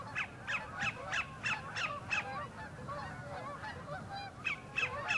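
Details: Sandpiper courting a mate at Horicon Marsh's northern end, giving a quick string of sharp repeated notes for two seconds amid a chorus of honking geese, which takes over before a few more notes return.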